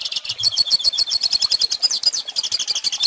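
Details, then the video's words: A goldfinch sings, apparently as a model for teaching chicks, a fast, unbroken twitter of high, bright notes and trills at several notes per second with no pauses; Goldfinch. "Pintassilgo Cantando"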